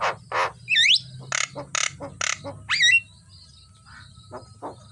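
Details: Javan myna morning song used for training birds: rasping broadband bursts mixed with rising and falling whistled sweeps, then quieter, softer notes trailing off.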